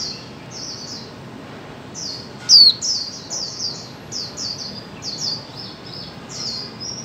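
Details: Female white-eye calling to stir mute birds into song: soft high chirps in loose series, with a single louder sharp descending whistle near the middle.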